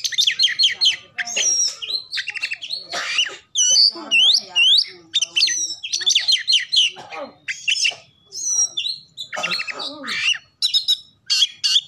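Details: Oriental magpie-robin as a lure to get other birds singing and spreading their tails, full of imitations of local birds and canary; loud rapid medley of swooping whistles, chatters and trills with brief gaps.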